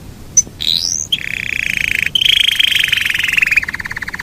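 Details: Yorkshire canary singing a long rolling song: a sharp chip and a rising whistle, then a sustained rolled trill, a brief break and a second long roll that ends in a faster buzzy rattle.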